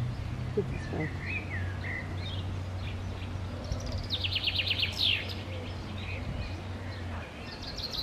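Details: Common chaffinch song in Park Sanssouci, summer 2016: after scattered quieter calls, a fast descending trill of crisp repeated notes finishes in an emphatic flourish, set against a continuous low hum and other faint bird voices.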